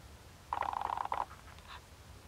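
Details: A rare Ferruginous duck in wetlands of Capitanata, Italy, gives a quick, rattling series of about a dozen low, nasal clucks lasting under a second, then a faint trailing note against quiet background hum.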